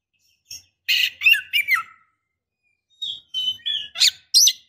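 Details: Female white-rumped shama, in breeding condition, calling to draw a male: a harsh rasp followed by quick slurred falling whistles, a gap, then clear whistles broken by sharp, buzzy chips.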